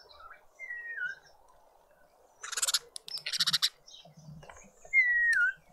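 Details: Karoo thrush at a garden birdfeeder in suburban Pretoria, South Africa: two clear whistled notes, each sliding downward, about four seconds apart, with short bursts of noisy chatter and soft chirps between them.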